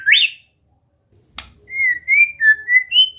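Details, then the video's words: White-rumped shama (murai batu) in a relaxed training session meant to get it singing steadily: a rising whistle, a sharp click, then a run of clear, slightly wavering whistled notes that step up and down in pitch. "Latihan santai untuk murai batu AGAR MAU BUNYI dan GACOR"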